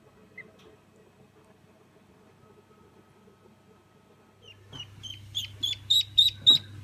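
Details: Day-old Old Polish ducklings, recorded in 2016: after about four quiet seconds with a low hum, a burst of high, thin peeps starts, repeated quickly and growing louder, several overlapping.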